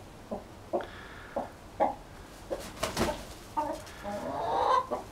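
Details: Hens and a rooster clucking: evenly spaced single low clucks, a clattering burst in the middle, then a rising, drawn-out cackling call that swells in loudness before a final cluck.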